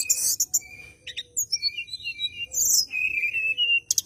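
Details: Bar-winged prinia in full fighting-mood song, seeking a rival and kept as a lure for white-rumped shamas: high buzzy bursts alternating with long thin whistles and sliding, wavering notes.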